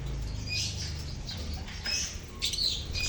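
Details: A lovebird colony, meant to prompt silent lovebirds, makes steady high twittering chirps with short squeaky notes scattered through. A constant low hum sits beneath the chatter.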